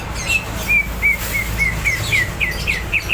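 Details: Greater green leafbird, described as ready to fight, giving a steady string of clear, slightly downslurred whistled notes, roughly four per second.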